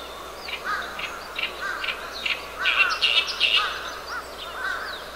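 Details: An Oriental reed warbler, recorded 10 June 2012, sings a harsh, grating run of chattering notes in its rasping voice, repeated quickly and loudest in the middle, with faint background noise.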